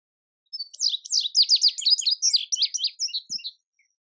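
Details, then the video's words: A male indigo bunting sings one bright whistled phrase of about three seconds, rapid high notes often doubled, dropping in pitch toward the end, with a soft knock near the close. "Indigo Bunting Song"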